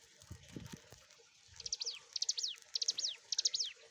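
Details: Bar-winged Prinia (ciblek gunung) song used as a training lure: a few soft low thuds, then a pause, then quick clusters of high, sharply descending whistles repeated about every half second until the end.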